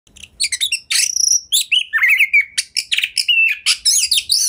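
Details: Home-kept Oriental magpie-robin (kacer) singing energetically in ngobra style, a lure recording to prompt other kacer to sing and show their learned repertoire; rapid mix of harsh buzzy bursts, sharp chirps and a few clear rising whistles, almost continuous.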